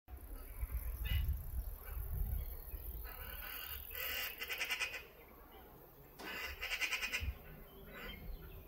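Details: Greater flamingos at Lagunska ribogojnica nature reserve on 14 June 2024 give nasal, goose-like honking in two bursts of rapid, gabbling calls, over low wind rumble.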